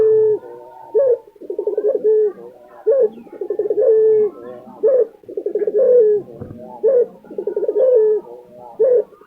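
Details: Lutino Barbary dove, kept as a pet in Indonesia, cooing in a regular rhythm, every phrase a clipped upward note, a throaty rolling trill and a long even ending.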